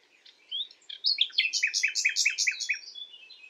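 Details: Common nightingale singing at night: after a few soft high notes, a loud rapid series of repeated sharp chirps, about six per second, alternating high and lower pitches, then fading warbles.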